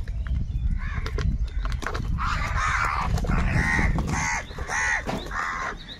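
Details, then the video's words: Crows fighting for food give a run of harsh, overlapping caws that build from about two seconds in and continue in a ragged series, over steady low rumbling background noise. "Kaka Sound and Noises of Crow Birds | কাকের ডাক Crow Sound Crow ki Awaz"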